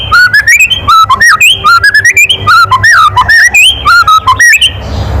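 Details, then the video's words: Loud provoking kretekan from a white-rumped shama: a continuous, varied stream of clear whistles, slurred up and down and packed tightly together, ending in a burst of hiss. "SUARA KRETEKAN MURAI BATU KERAS MEMANCING EMOSI"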